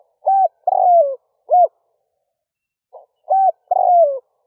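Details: Spotted dove decoy calling in the early morning to draw in wild doves: a quick mellow hoot, a long sliding coo, then a short closing note, the phrase repeating after a brief pause.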